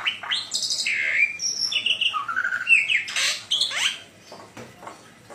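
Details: Black-winged myna (jalak putih) singing loudly: a varied run of whistled slurs, rising and falling notes and harsh buzzy bursts, fading to softer chatter near the end.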